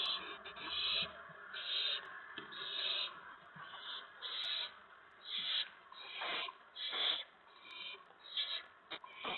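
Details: Owls at a nest in the evening of April 19, 2017, with adults bringing food to the owlets: a series of raspy, breathy hisses, each about half a second long, repeated roughly once a second, with light rustling.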